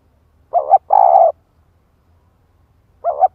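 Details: Cooing of a decoy spotted dove luring wild birds. A wavering double note is followed by a long, rough, trilled coo. A second phrase starts about 2.5 seconds later. Faint low rumble.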